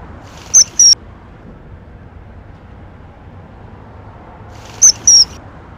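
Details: Common kingfisher (Alcedo atthis) feeding young gives two pairs of shrill, very high, thin whistled notes, about four seconds apart, over a faintly rustling background.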